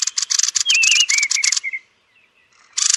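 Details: Thrush (Turdus) calling at roost: dense harsh rattling bursts with thin slurred whistles woven through, a short lull, then another rasping burst begins.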